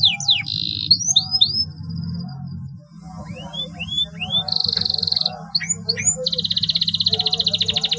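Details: Canary in long, energetic song, played to stimulate silent canaries into singing. Whistled upslurs and sharp chips alternate with buzzy held notes and a fast rattling trill, over a steady low hum.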